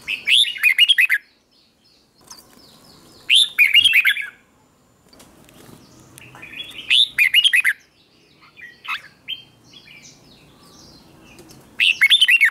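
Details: Red-whiskered bulbul, a wild-caught bird trained to sing in contests, giving morning song: loud bursts of rapid warbled notes about every four seconds, with softer scratchy phrases in between.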